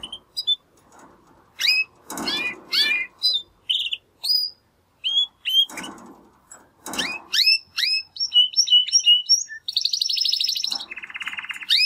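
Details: Young male Timbrado canaries, two caged brothers from the second 2020 breeding, practising song after their first molt; quick rising whistled notes repeated in bursts, then longer buzzy trilled rolls near the end, with light rustling underneath.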